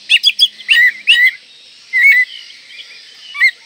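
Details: Oriental magpie-robin in breeding condition, singing to provoke rivals: quick chirps and bright whistled slurs, one drawn-out whistled phrase, then a final short whistle, with background hiss.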